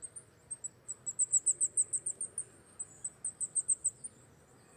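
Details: Wallcreeper on a rock wall in winter, Czechia, white throat turning black: runs of very high, thin, clicking notes, several each second, separated by a short gap, with quiet low rumble behind.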